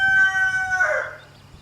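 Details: Rooster near a mother hen and her chicks, harassing them; the tail of a loud crow, a steady harmonic note that breaks into a rougher, falling ending before fading out over soft background noise.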